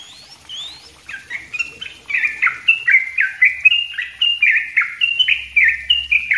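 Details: Tutor song of a yellow-vented bulbul for training cage birds, sung densely and continuously. Faint rising whistles open, then loud, quick, bubbly chattered notes follow, each with a falling slur, repeated steadily to the end.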